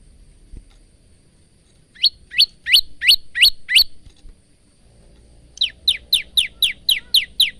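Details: Bar-winged prinia male singing, recorded as training song for caged prinias: a series of six rising chirps, a short gap, then a faster run of downward-slurred high notes.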